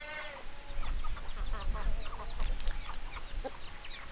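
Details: A flock of hens clucking together: dense, overlapping short clucks and chattering notes, with some drawn-out tones near the start, over a steady low rumble.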